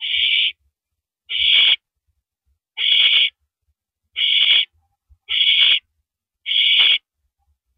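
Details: Night at an owl nest, April 5, 2012, 10:30 PM, during a mouse delivery: a series of seven harsh, breathy screeching hisses, each short and even, repeated about every second, with faint thumps between.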